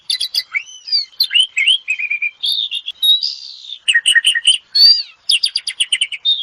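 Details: Asian pied starling singing a varied, fast medley of whistled and chattering notes, with sliding whistles, short buzzy bursts and bright high chirps in quick succession.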